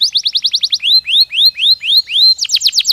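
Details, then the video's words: Canary singing for a more successful breeding season: a quick run of short high notes, slower upward-curving whistles, then a fast burst of descending syllables. "تغريد كناري محفز يزيد نشاط الطيور ويجعل موسم التكاثر أكثر نجاحًا"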